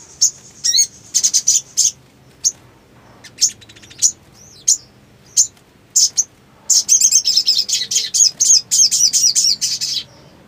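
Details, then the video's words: Black sunbird song in broken bursts: scattered sharp high chirps and short trills with gaps between, then a dense run of rapid, buzzy twittering notes near the end. "SOGON GACOR BIRAHI TERAPI MACET !! FULL NGLEPER PALING AMPUH"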